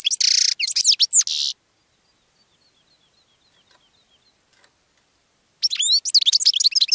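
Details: Bright twittering goldfinch song used to attract other birds: a buzzy, chattering phrase at the start, a quiet pause with faint ticks, then another rapid tinkling run.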